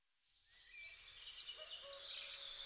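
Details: Two young spotted flycatchers being fed: three short, very high, thin calls spaced just under a second apart, with near silence between them.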